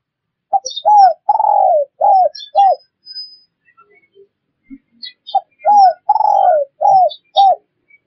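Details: Spotted dove call used as a lure to attract wild birds: soft low cooing phrases of several notes, the longest note drawn out and falling, repeated twice with a pause between.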